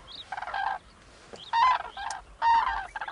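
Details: Common cranes from a flock in Gujarat, India, where they come as winter visitors: loud, resonant, rattling trumpet calls, three strong notes roughly one second apart, with fainter crane voices between.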